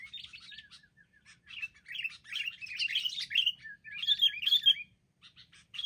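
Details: Group of wild sooty-headed bulbuls daring an attack, later caught: soft slurred whistles leading into lively overlapping chirps and warbled phrases, swelling and fading in waves.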